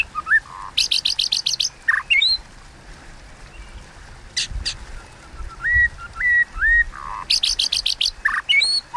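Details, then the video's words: Contest singing (hót đấu) of a White-rumped shama, kéo thuốc lào style: clusters of rapid high buzzy ticks alternating with slurred upward whistles, and a quiet pause with soft rustling in between. "Tiếng Kích Chòe Lửa Hót Đấu Kéo Thuốc Lào /Kích Chòe Lửa Căng Lửa / Chòe Lửa Hót Đấu"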